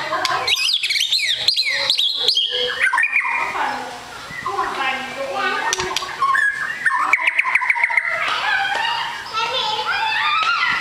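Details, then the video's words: A long-tailed white-rumped shama described as a super fighter pours out a long, varied medley of whistles, chatters and rapid trills, loud and nearly continuous. "MURAI BATU EKOR PANJANG SUPER FIGHTER"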